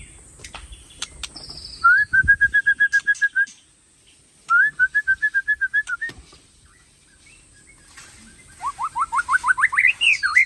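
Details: White-rumped shama of the Aceh Tangse type singing in bursts of rapid, evenly repeated whistled notes, pausing between phrases, ending in a fast series of rising sweeps; faint thin high background hiss.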